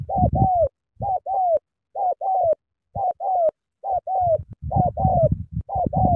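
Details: Spotted dove giving a keen cooing display: mellow two-part coos, a brief note followed by a longer downslurred one, in regular pairs, with low rumbling thumps under several phrases.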